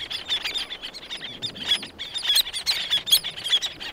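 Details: Several black-naped terns (Sterna sumatrana) call close up with harsh, high, rasping, overlapping bursts, with others calling in the distance and good wing beats audible.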